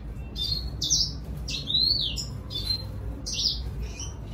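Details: Red siskin singing to lure a female, giving loud high slurred whistles that bend down and up, grouped in quick bursts of two or three with brief pauses between.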